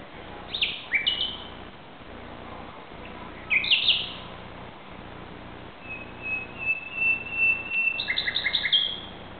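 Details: A common nightingale singing at 2:30 am on 17 May 2009 in Barcelona, Spain: varied bursts of sharp chirps, a long sustained whistle, then rapid repeated notes, with a low rumble underneath.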